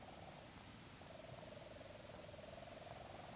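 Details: Leach's storm petrel calling from inside its burrow, recorded close up: a faint, steady purring churr held at one mid pitch for several seconds, softly pulsed throughout, over a low rumbling background.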